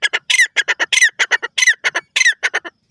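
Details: Irani tetar, a partridge known as teetar, real-life calls: loud, harsh, grating squawks delivered in rapid bursts, roughly twenty notes packed into three seconds with short gaps between phrases, close and clear with no other sounds.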